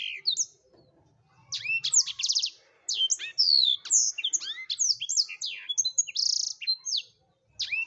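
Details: Blackthroat (black-throated canary) singing vigorously, used as a tutor recording for songbirds; a fast, unbroken, varied warble of high sweeping whistles, sharp chirps and short buzzy trills, pausing briefly near three and seven seconds.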